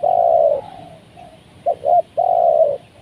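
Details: Spotted dove (tekukur) used as a lure to bring down wild doves: a long low purring coo, two short notes, then another drawn-out coo, strong and clear with little background.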